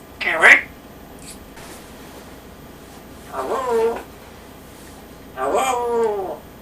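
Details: Pet male African grey parrot indoors in a small room, saying "Go back home!" when an activity annoys him, meaning leave me alone; three separate voice-like phrases, the first short and sharp, the next two longer with rich stacked harmonics, spaced by quiet pauses.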